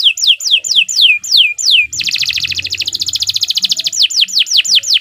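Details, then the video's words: Canary in long, continuous 'gacor panjang' singing for song tutoring: high whistled notes sweeping downward, repeated about five per second, then a dense, fast buzzy trill for two seconds before the sweeping notes return. A faint low hum underneath. "Suara Burung Kenari II GACOR PANJANG"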